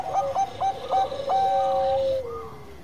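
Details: Bangkok zebra dove singing actively: four quick stuttered coos about a third of a second apart, then a long sustained note that falls away at the end.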